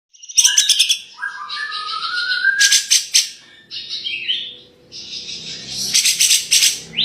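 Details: Grey-cheeked bulbul (cucak jenggot) singing in the gacor tembakan style, a mix of loud squawky bursts, a rising whistled slur and high buzzy chattering phrases separated by short pauses.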